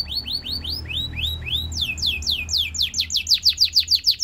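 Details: Belgian singing canary, presented as a training singer for other canaries, giving a run of rising-then-falling whistled notes that speeds up and climbs into sharper, louder, rapidly repeated slurs, roughly three per second.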